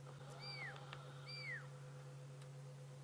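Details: Fork-tailed drongo; mimicry; mimicking an owlet's call to drive other birds away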